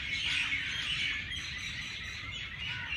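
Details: Birds twittering at dawn in Jilani Park, Lahore, a blurred, continuous wash of high chirps with a few clearer whistled notes near the start.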